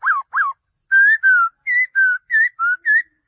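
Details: A male laughingthrush gives two short descending whistles, then a series of seven longer, clear, level and wavering whistled notes in a steady, lively rhythm.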